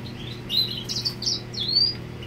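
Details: Brief burst of song from a male grey singer directed at a female, made of a few high, sweet chirps and rising whistled slurs over a faint constant background hum.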